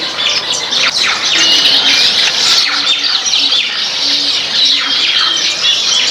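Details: A flock of baya weavers at grain in a backyard keeps up rapid, overlapping chirping, with quick downward-sweeping chips and scratchy notes repeated roughly twice per second.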